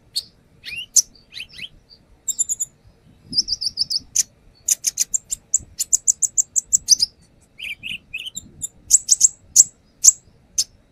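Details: Brown-throated sunbird in steady lure song: varied high chirps, a stuttering string of buzzy notes, a long run of rapid repeated tweets, some lower whistled slurs, then sharp chips.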